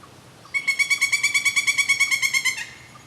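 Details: Pileated woodpecker giving a loud, fast series of about fifteen evenly spaced, ringing notes, roughly three per second, lasting two seconds before stopping abruptly, over a quiet background.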